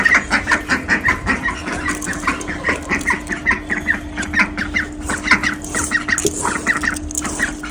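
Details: Domestic ducks call in rapid, uneven bursts of nasal quacks, more than two a second, with chickens clucking among them and a steady low hum behind; the birds are calling at the back of the house around feeding time.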